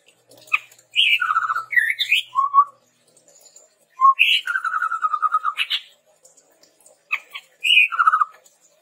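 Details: Red-rumped tepus giving its song as a tutor and lure for captive birds: phrases of rising whistles sliding into long trilled lower notes, with short upturned notes, repeated in three bouts.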